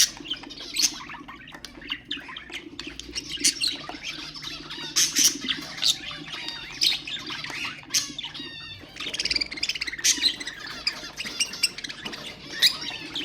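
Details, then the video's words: Budgerigars, cage birds, singing to stimulate other birds; long run of chattering warble, harsh squawks and high chirps, with a brief rattling burst midway. "اقوى أصوات طيور البادجي طيور الزينة أصوات تحفيز الطيور"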